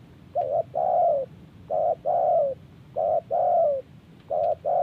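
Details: Spotted dove cooing in reply to wild birds: four phrases roughly every second and a quarter, each a quick doubled hoot then a longer smooth coo falling gently in pitch.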